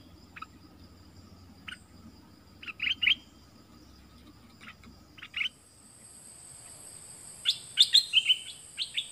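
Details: White-eye song recorded in 2020 for training young birds to sing along: scattered short high chirps and brief twittering bursts, sparse in the first half, then a denser run of sharp notes near the end.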